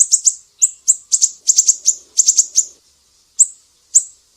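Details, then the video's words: Sumatran mangrove whistler giving its stinging besetan, used as a master track for songbird training: dense bursts of high, sharp notes in quick doublets and triplets, easing into widely spaced single notes. "SIRI SIRI SUMATRA, BESETAN PEDIH"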